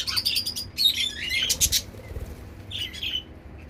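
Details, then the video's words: Captive zebra finches in a mixed balcony aviary in Dubai give dense, overlapping high chirps and short nasal notes. A busy chatter opens the recording, then a pause, then a few more calls near the end. "Zebra Finches in Balcony Aviary || Natural Bird Sounds"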